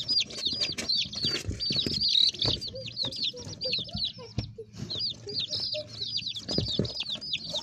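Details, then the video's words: Baby chicks peeping constantly, many high, thin, down-slurred cheeps overlapping in a dense chorus, with low soft clucks and rustling beneath. "baby chicks"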